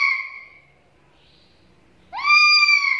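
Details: Black-capped lory calling: a fading harsh screech, a quiet gap, then a loud rising squawk that starts lower, sweeps up and holds as a rich, nasal, harmonic tone.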